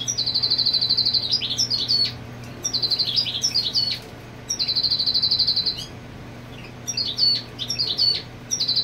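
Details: European goldfinch singing to mark territory with the female on the nest: about four bursts split by short pauses, each starting with an even buzzy trill and breaking into quick twittering, liquid notes, with a low hum beneath.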